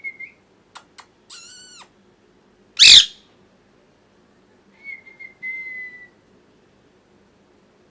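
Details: Caged pet parrot, molting, makes a few dry clicks and a short nasal, stacked-tone call, then one very loud harsh screech, followed after a pause by a long thin whistle that slowly falls in pitch.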